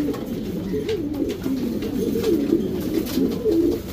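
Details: Loud, close coos from Racing Homer pigeons in a breeding section, rolling deep phrases that rise and dip in pitch, overlapping continuously, with a few light taps.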